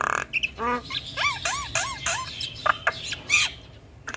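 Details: Kept female Javan myna sings a run of harsh squawks and arched, ringing notes repeated about every third of a second, interspersed with scratchy bursts.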